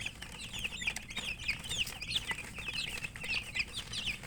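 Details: Feeding chicks (murgi) keep up a busy flock chorus of shrill, short, down-slurred peeps, several per second, mixed with light tapping from eating.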